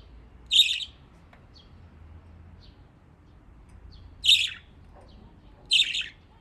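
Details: Pet budgies in Japan having fun playing in water give three brief scratchy chirps spaced a few seconds apart, with faint clicks and splashes between them.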